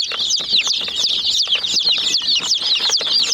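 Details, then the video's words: A group of domestic hen chicks pecks at a toy jeep; clear, high, arched peeps tumble over one another in rapid sequence, with sharp beak taps between them. "Murgi Chicks Chirping Sounds"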